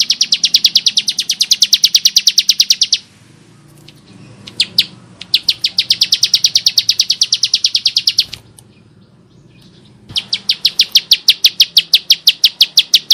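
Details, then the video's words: Ciblek sawah, the bar-winged prinia, singing steadily in a coarse voice for tutoring. Three long volleys of rapid, sharp, high-pitched chips are separated by brief quiet pauses, with a couple of isolated notes between them. "Ciblek Sawah Gacor Suara Kasar Mantab Untuk Masteran"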